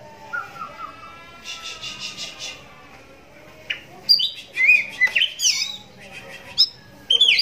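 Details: Caged oriental magpie-robin with a cataract in one eye, singing loudly enough to make other magpie-robins respond; a quick buzzy trill and low whistles open, then a burst of sharp varied chirps and high slurred notes.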